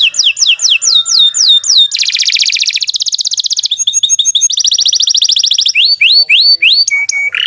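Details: Loud canary song used to prompt pet birds to sing: repeated falling whistles, fast buzzy trills, quick chirp groups, then more slurred whistles and a level piping note.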